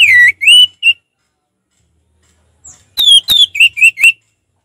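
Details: Orange-headed thrush singing 'ngeplong' in relaxed fashion, with three clear falling whistles, a long silence, then a quick string of sharp clicks and short whistled notes.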